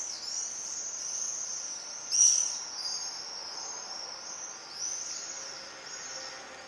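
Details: Common swifts inspecting nest boxes in Leuven on 4 July 2015, recorded from a living room: a continuous high, shrill, buzzy screaming band, with a louder sharp burst near two seconds and another surge near five seconds.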